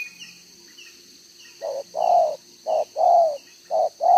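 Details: Spotted dove singing the 'đồng gáy 1 hậu' style, two rows of neck spots, recorded 11 June 2023; after a quiet opening with faint distant chirps, paired coos begin, a brief note then a longer slightly falling one.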